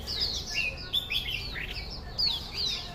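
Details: Loud song of a Chinese hwamei: brisk clear whistles and downward-slurred notes in quick succession, melodious and varied, with light background hum.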